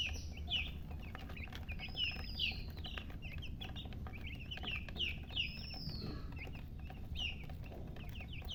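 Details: Young chicken chicks peeping continuously, dense quick downslurred chirps with occasional long arched whistles, low droning hum underneath.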